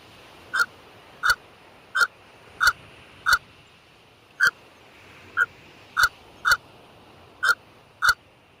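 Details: American white pelicans at San Jacinto Wildlife Area, California, giving short, hoarse, bark-like calls like a little dog barking, grunting and grinding, about eleven in nine seconds at an uneven pace, over faint steady hiss.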